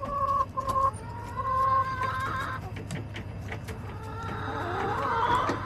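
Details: Backyard chickens recorded July 18, 2024: sustained harmonic hen calls with short breaks in the first two seconds, then scattered sharp clucks and pecking clicks over a steady low hum.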